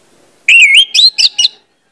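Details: Orange-headed thrush song from a lure recording meant to get birds singing freely: one drawn-out slurred whistle followed by three short, quick, twisting notes.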